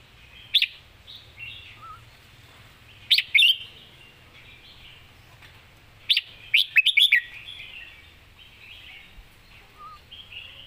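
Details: Red-whiskered bulbul, a competition singing bird, sings short bright whistled phrases spaced a few seconds apart, the longest a quick rippling run of four or five notes, with faint warbling between.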